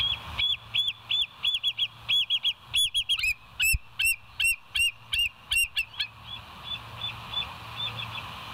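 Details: Bald eagle calling at the West End nest on a live cam, 22:51, 17 September 2023: a long, almost continuous run of high, thin, piping notes, about four each second, fading into softer notes near the end.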